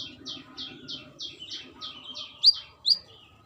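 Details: A female brown-throated sunbird calling to a male gives a steady chain of buzzy, slurred notes about four per second, then two louder, sharp, high chirps.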